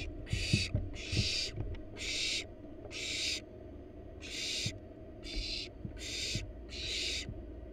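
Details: Wild barn owls at a monitored nest box as the parents bring a rat to their nestlings: harsh, broadband hissing bursts, about eight in under eight seconds, each roughly half a second long with short gaps, over low background rumble.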